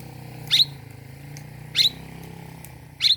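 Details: Oriental magpie-robin in the morning, a rival-provoking recording: three brief, high, clipped double notes spaced about 1.3 seconds apart over a steady low hum.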